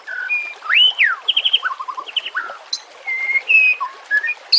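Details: White-rumped shama song for training and luring shamas, trickling water and nature sounds behind: long arching whistle, short rapid note runs and several steady clear whistled tones with brief gaps.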